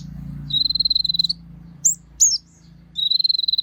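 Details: Sunbird known locally as Kolibri Ninja, in a training recording: a rapid buzzy trill held on one high pitch, then two sharp, high, downslurred notes, then the trill again, over a low steady hum.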